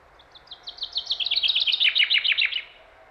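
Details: Common chaffinch singing in springtime in the English Lake District: a fast series of bright, slightly descending notes that speeds into a dense rattling run and ends in a short flourish, over quiet background.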